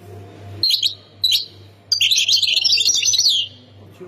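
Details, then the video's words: Goldfinch of Khemis Miliana, Ain Defla, Algeria, giving two brief high chirps, then a long, rich, tumbling warble of twittering notes lasting about one and a half seconds, over a faint low hum. "مقنين سكتور خميس مليانة ولاية عين الدفلى"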